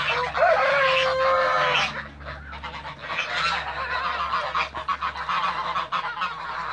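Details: Toulouse geese in a backyard, feeding and flying; one long drawn honk opens over a chorus of others, then rapid uneven gabbling honks follow, fading and swelling.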